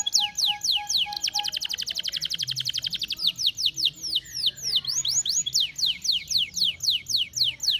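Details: Canary singing as a lure to prompt other canaries into song: fast repeated downward-sweeping chips, a dense rapid trill in the middle, then more sharp sweeping notes repeated several times per second over a faint low background hum.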